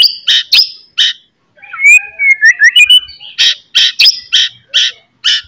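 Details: White-rumped shama singing a loud, ringing morning song used to stir up a rival's fighting spirit: harsh buzzy bursts alternate with a run of clear rising and falling whistles, then more rapid rasping notes repeated about every third of a second.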